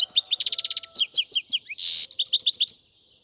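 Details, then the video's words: European goldfinch song, filmed on camera: rapid high twittering, buzzy trilled runs and bright chirps repeating in quick bursts, a short harsh rasp near the middle, then more lively twitters before falling silent. "أكثر تغاريد الطيور دهشة التي تم تسجيلها على الكاميرا - تغريد الحسون"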